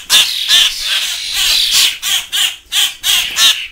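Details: Fledgling common grackles, grown but still demanding hand-feeding indoors alongside young starlings, give harsh, raspy squawks repeated about three times a second in uneven bursts, with no other clear background sounds.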